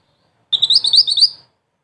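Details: Mantenan, a black-and-red bird valued for song masters, delivers a spirited high-pitched chatter of rapid clipped notes lasting about a second, then stops abruptly.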